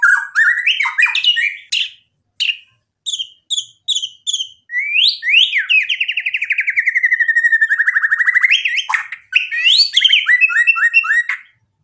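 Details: Energetic White-rumped shama singing loudly, played to provoke rival shamas into replying with their full repertoire; varied rising and falling whistles, clipped separate notes, then a long fast trill sliding downward before more whistled phrases.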